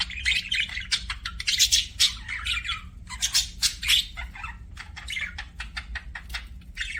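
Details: Budgerigars chattering, likely in an aviary or kept as pets: rapid, irregular streams of raspy chirps and squawks, about three to four per second, grouped into busy bursts, with quieter gaps and faint low hum underneath.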